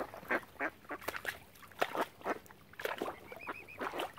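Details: Ducks gathered around swans at Oxford Island on Lough Neagh, Ireland, calling loudly in harsh, broad quacks, some doubled, packed close together, with a brief thin whistled note midway.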